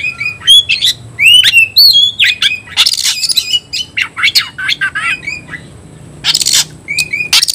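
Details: Oriental magpie-robin singing a provocative fighting song; loud varied whistles, chattering chips and harsh scratchy bursts follow each other rapidly, with two noisy rasps in the second half.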